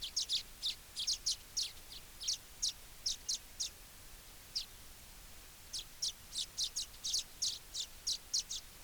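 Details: Baya weaver giving short, bright, high chips, singly and in quick clusters of two or three, spread irregularly across the recording with a brief pause midway, over a soft hiss.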